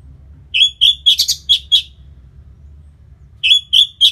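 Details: Orange-headed thrush after moulting, sound to make the bird more aggressive: a string of about six loud, rich whistles with a brief buzzy burst in the middle, a pause, then three more whistles.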